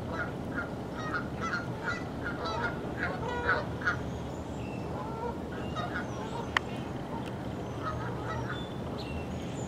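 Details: A large flock of Canada geese, about four dozen, flying in and honking as they gather on a creek on a November morning at 7:16. Repeated short nasal honks from many birds over a steady broadband rush of water and background noise.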